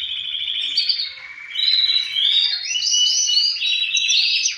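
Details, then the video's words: Male canaries singing, one fine singer answered by other males, kept to stimulate breeding; a continuous high warbling song of sliding whistles and rapid trills, overlapping voices. "تغريد فحول كناري الازعاج الذي يحتاجه طيورك لتحفيزها على الانتاج"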